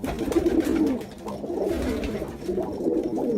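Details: Throaty, bubbling cooing of Jacobin pigeons, a steady low warble that rises and falls without pause through the short stretch.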